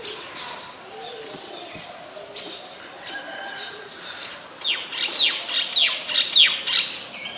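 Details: Oriental magpie-robin, a very common resident, singing in Ubon Ratchathani, Thailand, on 28 October 2021, Nikon P1000: faint chips at first, then a loud run of about seven clear descending whistles in rapid succession.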